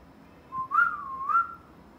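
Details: Pet parrot's clear whistled phrase with two small rising swells, held steady at a mid pitch for about a second, preceded by a faint soft note.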